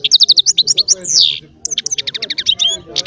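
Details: Goldfinch baster song, chardonneret style: a quick series of sharp high chirps, a long descending slurred whistle, a brief pause, then more rapid twittering notes and trills.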